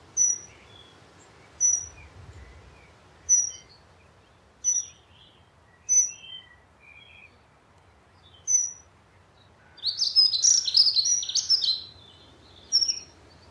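Dunnock giving thin, high piping notes roughly every second and a half, then a brief, fast jingling warble of song near the end.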